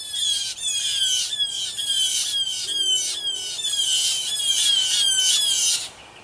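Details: Blue jay, one of three to five jays in a territorial battle in a tree, giving harsh, raspy, slightly descending screams about twice a second, nearly nonstop for six seconds, with no other sounds.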